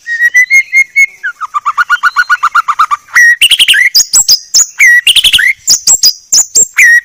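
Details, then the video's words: White-rumped shama 'masteran' song, described as very clear: steady repeated whistled notes, then a long rapid run of chirps, followed by loud alternating bursts of high sharp chips and dropping whistles. "Masteran Murai Batu Paling Jernih"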